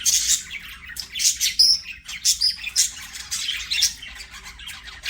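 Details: Playing budgies chatter in quick raspy bursts with occasional clear whistles, the busy squawking song pulsing without long breaks.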